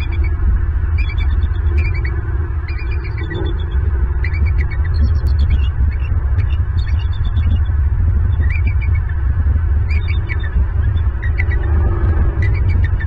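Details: Bald eagle pair sitting side by side on a branch at night in Southwest Florida, recorded by a live nest camera; repeated clusters of high, squeaky, stuttering chirps every second or two over constant low rumbling hum.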